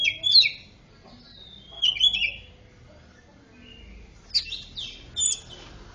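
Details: Greater green leafbird with oriental magpie-robin fill-in song, played to get silent birds singing; scattered sharp whistles and short sliding notes separated by quiet gaps of one to two seconds.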